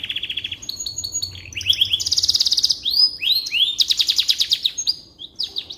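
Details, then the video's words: Continuous canary song meant as a tutor for shamas: a steady high trill, then loud rapid rattles and curved rising-falling whistles, with another harsh fast trill near the end. "Suara Burung Kenari Cocok Untuk Masteran Burung Murai Batu"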